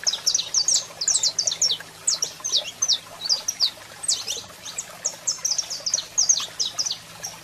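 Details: Singing male saffron finch alongside a calling female, used to excite other birds: busy stream of high, sharp chirps, clustered tightly at first and then spaced in irregular groups, over a soft low hum.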